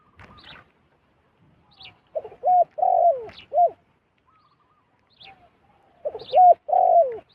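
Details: Wild zebra dove coming down to a decoy, calling two quick phrases of bubbling coos about four seconds apart, each with arched notes and a longer falling coo. Scattered thin, high chirps come from other birds.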